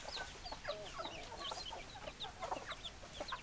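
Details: Chickens clucking together: quick, clipped notes overlap with small rising chirps in a busy, continuous chatter without pauses.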